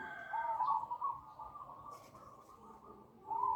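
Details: Zebra dove (Bangkok perkutut) lure call intended to attract other doves; a bright rolling coo at the start trails into softer notes before a fresh trilled phrase returns at the end.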